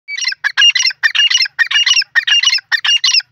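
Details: Grey francolin voice used for hunting and trapping wild francolins in Pakistan; loud, harsh, ringing phrases repeated rapidly, about two to three per second, in a steady rhythmic series with no other sounds.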